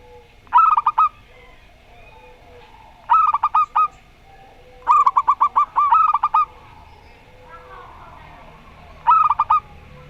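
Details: Zebra doves, a local Rondo Semoyo singer and a strange-voiced bird, trading five short phrases of rapid staccato coos, each a tight run of bright notes, separated by quiet low cooing.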